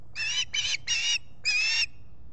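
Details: Osprey squawking from a nest in the Finger Lakes region of the US, July 2021 morning, captured on a solar-powered camera: three quick grating squawks in a row, a gap, then one longer rasping squawk.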